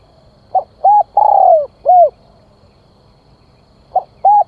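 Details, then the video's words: Spotted dove giving its call to draw in wild birds: a soft pip, short coo, long descending tremulous coo and short end coo, followed after a two-second pause by the opening notes of another phrase. "Tiếng Chim Cu Gáy Gọi Kích Mồi"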